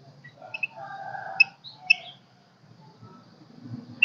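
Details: Golden-crested myna singing kích bổi style, mixing piercing high clicks and chips with a brief blurred mid-pitched warble, then a pause, over soft low rumbling.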